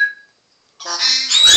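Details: A male Congo African grey parrot dancing on cue while his owner whistles to prompt him gives a brief clear whistle, pauses, then a rough, speech-like burst ending in a sharp rising whistle, singing his name "Togli" at the end of his routine.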